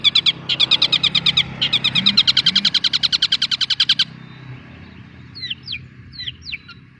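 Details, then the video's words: Young long-tailed shrike (cendet) delivering a long burst of rapid harsh chattering notes, pausing briefly, then resuming, and ending in scattered thin, downslurred whistles. "Burung Cendet || Muda dan Berkarakter"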